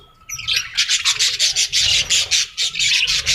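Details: A parrot's rapid, raspy chattering squawks, pulsing roughly four times a second after a quiet opening.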